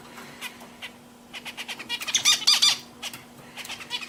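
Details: Household zebra finches sing a rapid chatter of short nasal, buzzy syllables that builds to a loud cluster in the middle, then softens into scattered notes, with a faint steady hum behind.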